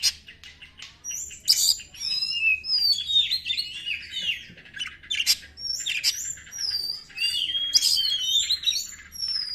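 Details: Oriental magpie-robin in its fiery 'konslet' lure song, meant to provoke birds lacking spirit and attract wild ones: varied high whistles, sweeping slurs and harsh buzzy bursts in a steady stream.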